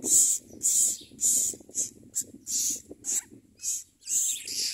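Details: Common myna chicks being fed worms and locusts by their parents: harsh, hissing, raspy begging bursts repeated about twice a second, some longer and some clipped short, over a low rumbling background.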